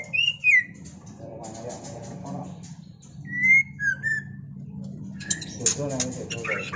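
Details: White-rumped shama, a mating pair, giving clear whistled notes that slide up and down, spaced by pauses, with a low background hum and brief squeaky noises.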